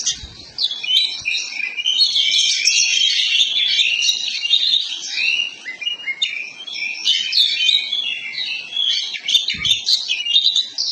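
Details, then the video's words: Oriental magpie-robin of the poci type, a master recording meant to spur birds into fanning their tails and singing: continuous rich, high, varied chattering and warbling with rapid whistled twists, plus a couple of low thumps. "pancingan masteran agar burung kacer poci cepat buka ekor gacor ngobra"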